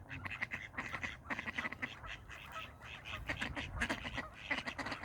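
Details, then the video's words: Fighting ducks give a steady stream of loud, nasal quacks in rapid bursts of several notes each, the calls overlapping and continuing without pause across the whole recording. "Ducks Fighting (and making funny noises)"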